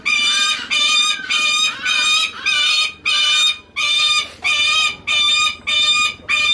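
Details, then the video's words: Captive Lanner falcon at a bird park in Japan, calling affectionately on spotting a favourite keeper: a harsh, strident, whining call repeated steadily almost twice a second, each note about half a second long. "Lanner Falcon★making sound"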